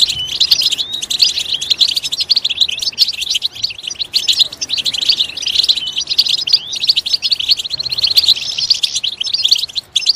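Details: Goldfinch song used to spur other goldfinches to sing loudly; a continuous fast twitter of bright, tinkling notes and quick trills runs unbroken for about ten seconds.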